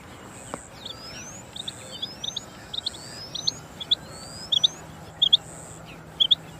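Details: Rain quail, known locally as chinga batair, gives repeated sharp, metallic doubled notes about once a second. They grow louder toward the end. Thin rising whistles from other birds and a constant high whine sound behind them.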